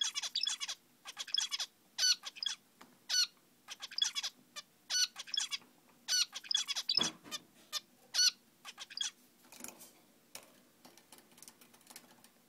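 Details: A male zebra finch gives rapid bursts of nasal, toy-trumpet beeps, fading out near the end; later rustling is probably the mother warming eggs.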